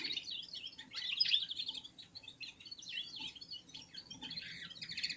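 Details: Red-fronted serins (Serinus pusillus) from Central Asia singing in unison with other birds: a continuous, busy stream of high, scratchy twitters and chirps, rising and falling in loudness throughout.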